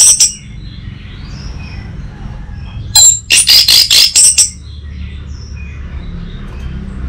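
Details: Master song of an orange-headed thrush for bird training: a brief note at the start, then a dense burst of about seven loud, high, scratchy notes in quick succession, with a faint hum behind.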